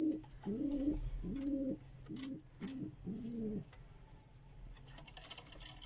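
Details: Pigeons feeding their babies: a run of five or six short, low, throaty grunting notes, with occasional brief high peeps and some rustling toward the end.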